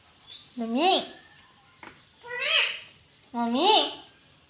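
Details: Pet green ring-necked parrot kept indoors, talking: three separate mimicked-word phrases, each a rising then falling harmonic sound about a second long, spaced by short pauses in a quiet small room.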